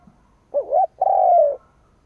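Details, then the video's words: One cooing phrase from a decoy spotted dove provoking rivals: a brief wobbling opening note followed by a sustained, gently descending coo, with quiet surroundings. "Cu mồi gáy gù / Tiếng chim cu mồi kích bổi / Cu mồi gáy bổi nghe hăng máu"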